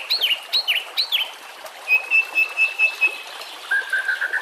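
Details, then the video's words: White-rumped shama training song over nature sounds and trickling water: three looping whistled notes, then a run of rapid even pulses on one pitch, ending with a lower steady buzzy trill. "murai batu AKAN EMOSI dan IKUT GACOR dengan masteran murai batu ini"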